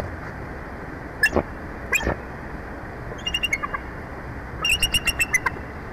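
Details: Bald eagle pair at their nest in Big Bear Valley on 3 April 2024, a day with mating and fish; high, sharp chittering notes: two lone squeaks, a short quick burst, then a rapid run of about six piping notes over steady background hiss.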